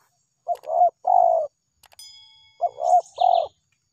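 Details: Spotted dove answering a trapper's lure with two close coo phrases, each a short doubled note and a longer wavering coo, while a brief high whistle and buzzy chirps from another bird sound between them.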